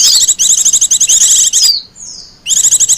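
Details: Wild Japanese white-eye used as a lure and master song: a dense run of fast high trilled notes, a thin drawn-out whistle, then the rapid twittering resumes.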